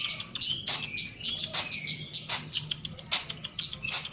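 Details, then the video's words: Chestnut-capped laughingthrush kept in a cage and trained for mental conditioning, singing rapid sharp high chirps in quick succession, mixed with lower thin whistles and several short clicking or rattling sounds. "KEMADE JAWA GACOR"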